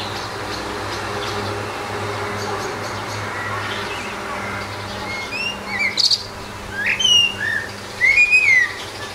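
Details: Solitary Eurasian blackbird on a house roof. Background hum at first, then two sweet fluted phrases, each closed by sharp high-pitched chirps.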